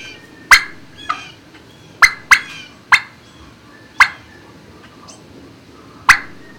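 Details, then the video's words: Turkeys housed in a barn, recorded midday on 26 March 2019, utter scattered loud, short, harsh calls about once a second or less, separated by near silence. "Turkey Barn"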